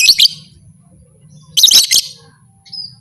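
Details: Call of a lovebird said to trigger fighting in other lovebirds; two harsh, rapid chattering bursts, then a brief thin chirp, with a soft low hum in the background.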